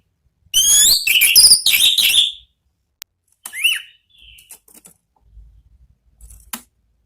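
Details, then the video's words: Orange-headed thrush with "ngeplong" song for luring kept birds: a loud burst of rapid warbled and whistled notes, then scattered softer calls, a downslurred whistle and faint clicks. "MEMANCING ANIS MERAH BUNYI NGEPLONG"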